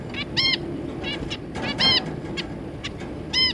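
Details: Zebra finch family, two parents with three juveniles, recorded 3 July 2022: nasal, arched, harmonic-rich beeping calls given singly and in pairs at irregular intervals, with a steady low background hum.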